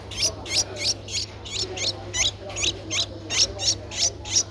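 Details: Nestling Streak-eared bulbul, 11 days old, in Ubon Ratchathani, Thailand, on 13 April 2023, calling with insistent shrill chirps in an even series, about three per second, over a low steady hum.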